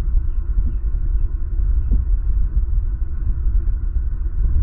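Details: Steady low rumbling wind noise with a faint hum throughout, and no animal voices.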